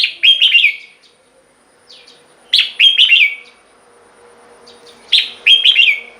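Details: Song of a red-whiskered bulbul, meant to be played to caged birds to stir them up: three bursts of bright, fluty, slurred notes, each a quick tumbling phrase, with a faint low hum underneath.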